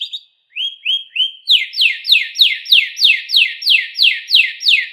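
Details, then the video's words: Canary song from a caged pet: three rising whistles, then a steady, regular series of eleven loud downslurred notes repeated about four times a second. "burung kenari bakal ikut bunyi dengar suaranya"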